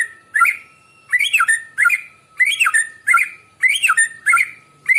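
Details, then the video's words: White-rumped shama singing in the morning, a recording used to lure birds: a phrase of whistled, slurred notes with buzzy overtones, repeated about every 0.7 seconds with short pauses between, loud and clear over a quiet background. "Kicauan burung murai pagi hari bagus untuk pancingan"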